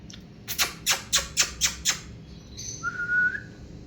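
An African grey parrot gives seven sharp clicks, about four per second, then a short, steady, mid-pitched whistle with fainter higher notes.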